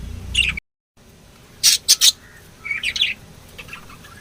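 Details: Lovebird chirping: a brief dropout, then three loud sharp squeaks followed by a cluster of rising chirps and softer trailing notes.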